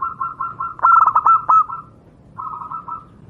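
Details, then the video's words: Zebra dove of a local wild Javanese strain, recorded for training other doves: a soft run of rolling coos swells into a loud burst of quick clipped notes, then eases back into gentle, even cooing. "burung Perkutut lokal alam, suara untuk masteran perkutut anda"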